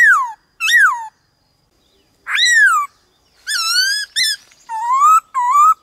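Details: White-cheeked laughingthrush in varied-voice song for stirring captive birds: loud falling and arching slurs separated by silences, followed by upslurred whistles and a short sharp note.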